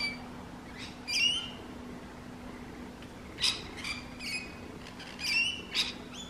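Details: Noisy rainbow lorikeet screeches, short rasping high bursts coming in uneven clusters, several in quick succession near the end, against a faint steady hum.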